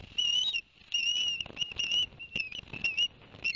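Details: Barnegat Light ospreys in New Jersey, 11 September 2021, around a fish delivery by the adult male to the young; sharp whistled peeps in short bursts, each note slightly rising, with brief gaps between series.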